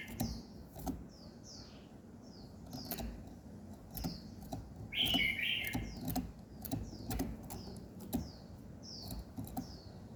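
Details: Morning birdsong: a run of soft, thin downslurred chirps repeated about every half second, broken by one brief, loud, rich warble near the middle, with scattered clicks and low hum beneath.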